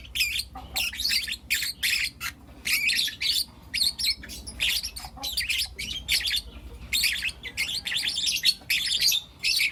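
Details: Morning chirping from four young lutino lovebirds, a steady run of sharp, raspy high notes in short bursts about every half second, continuing throughout with brief gaps.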